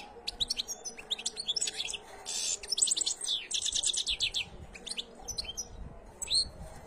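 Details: Canary song of dense, high twittering trills and rapid chirped notes running almost without pause, with a brief sweeping whistle near the close.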